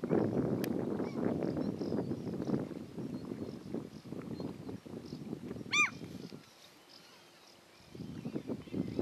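A Common Gull gives a single high, squealing note that rises and falls, heard through heavy rumbling wind noise.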